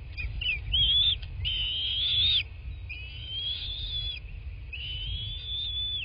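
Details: Bald eagle at its nest in a quiet southwest Florida landscape, nest camera, 03/08/2024 at 11:00; four long, high whistled calls, each a second or so, slightly arched and wavering, separated by short gaps, with low background rumble throughout.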